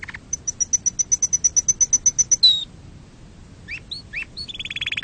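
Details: Canary song for teaching chicks and mating: a steady series of high clicking notes about four per second, a falling whistle, scattered upslurred chips, then a buzzy trill.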